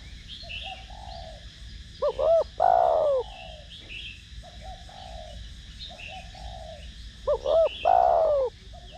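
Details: Spotted dove, 'thổ đồng' voice, calling to excite lure birds. Two loud phrases of short paired notes and a long falling coo, with soft muffled coos in between and faint chirps in the background.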